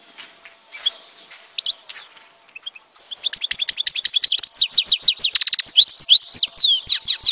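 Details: European goldfinch singing in Tizi Ouzou, Algeria. Faint scattered twitters open the recording. After about three seconds, a loud, fast run of high, liquid trills and tinkling notes begins and continues to the end.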